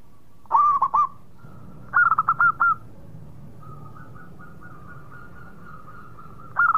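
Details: Local Zebra dove. It gives a brief triple of hooked coos, then a faster run of bright rolling notes and a faint sustained murmur, ending with another short burst.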